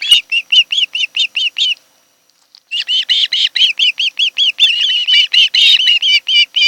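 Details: Osprey at its nest, Kent Island, Maryland, 26 July 2018 afternoon nest cam: quick repeated high whistled notes, a pause of about a second, then a faster, more insistent run.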